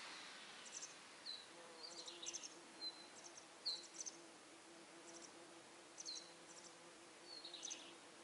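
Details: Fledged masked wagtail chicks, out of the nest but not yet feeding themselves, sit and beg for food from their mother with thin, high, sharp chirps in short scattered bursts, over a steady low hum.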